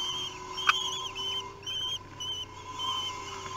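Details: Common kestrel nestlings, three weeks old, at feeding time in Théding, France, June 2021: a few high, wavering squeals with short pauses between them, one sharp click, and a steady background hum.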